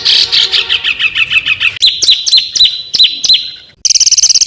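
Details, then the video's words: Small bird singing harsh bursts for a contest-bird training recording from Indonesia: a quick run of chirps, then sharp upward-flicking whistles repeated at irregular gaps, and finally a fast high chatter. "SUARA BURUNG KECIL TEMBAKAN KASAR"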